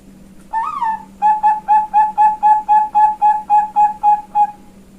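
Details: Female Bangkok-type zebra dove from a bird farm in Kebumen, Central Java, Indonesia, giving the front part of its song in ngayun style: one long wavering opening coo, then about thirteen evenly spaced short mellow coos, over a steady low hum.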